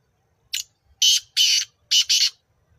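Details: Black francolin, known locally as kala teetar, calling near Nawabshah, Pakistan: a harsh, grating phrase of five rasping notes, a short opening note then two paired longer scraping notes, twice, in under two seconds.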